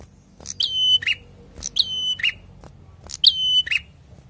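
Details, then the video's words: Prinia in energetic 'ngalun' song, three phrases of a bright attack, a long even whistle and a lower closing note, spaced about 1.5 seconds apart, with a low background hum. "PRENJAK GACOR SUARA NGALUN"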